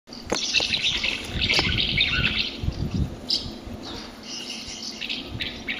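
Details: Common house martin song broadcast near nest boxes at Fraiture to attract the birds: dense, chattering twitter of high chirps in bursts, with low rumbling background noise throughout.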